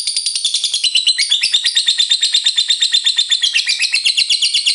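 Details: Lovebird ngekek: fast, rhythmic, buzzy chatter with interlaced squeaky rising notes, loud and steady throughout.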